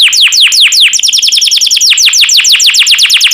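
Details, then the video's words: Yellow canary singing a quick, unbroken series of loud downward-slurred whistles, repeated several times a second with a rolling, bubbling rhythm. "Burung Kenari Kuning yang Cantik || Suara Merdu & Warna Menawan"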